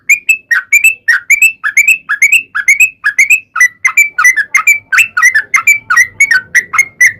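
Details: Sooty-headed bulbul's rapid 'ropel' song used to lure bulbuls into singing; upslurred bright notes at first, then a faster jumble of chattering notes, all in a steady flow.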